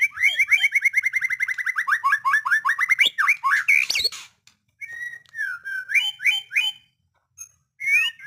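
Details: White-rumped shama opening with a fast, even string of repeated whistled notes, then a harsh burst, followed after short silences by separate fluting, slurred whistles.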